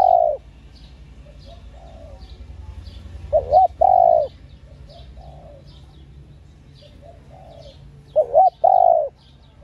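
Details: Female spotted dove calling to stimulate males. Three low coo phrases, each a quick wavering double note then a long even coo, come about four to five seconds apart. Faint distant coos and steady high chirping of small birds fill the background.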